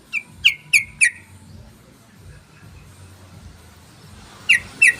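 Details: Sooty-headed bulbul lure call to pull in other bulbuls: a rapid burst of four sharp, high chips, a pause of three seconds, then two more chips, over steady low background noise.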